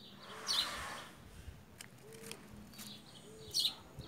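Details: Many wild Creamy-bellied Thrushes visit a garden at 21°07'57.7"S 56°28'36.7"W to eat fruit, 18 Sep 2018, 14:33 (GMT-4); one gives two brief, sharp high chirps about three seconds apart, over steady outdoor hiss and faint low hums.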